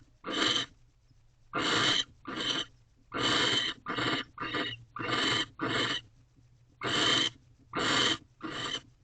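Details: Nest-box barn owls at 6:11 am on 19 March 2023 while the male courts the female with a new rodent. A steady string of about twelve short, breathy, hissing shrieks is broken by gaps of silence.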